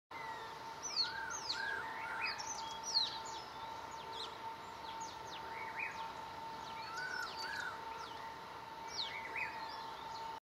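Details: Mountain bulbul on Gunong Ulu Kali, Pahang, 23 January 2011, gives continuous sharp single-syllable chirps and slurred whistles over a humming drone; a Javan Cuckooshrike's louder single tone and a Chestnut-crowned Laughingthrush's two-tone call sound in the background.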